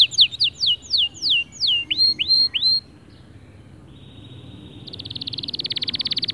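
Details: Male white canary singing to encourage other birds: a string of falling whistled notes, then three rising upward-hooked whistles, a quiet soft tone, and finally a fast, even, buzzy trill building in volume.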